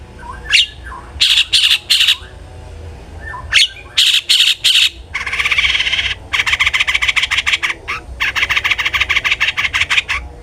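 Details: Long-tailed shrike song offered as a lure for other shrikes: clusters of buzzy notes, then long rapid rattling trills of evenly spaced harsh pulses.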